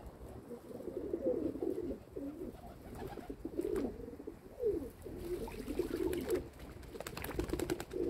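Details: Kept domestic pigeons giving a steady stream of low warbling coos, each phrase swelling and dipping, repeated almost without pause for eight seconds, with a few sharp clicks.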